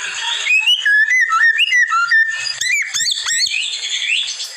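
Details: White-rumped shama (murai batu) in masteran training song: a flowing line of mellow whistled notes, followed by a burst of sharp, high upward-sweeping chips and a fading rising whistle.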